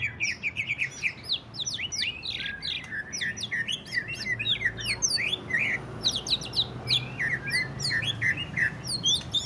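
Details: Greater green leafbird singing in the ngentrok style, used to spur other leafbirds into song: a dense, fast stream of sharp chirps, slurred upward and downward notes and crackling trills with almost no pause, plus a low background hum.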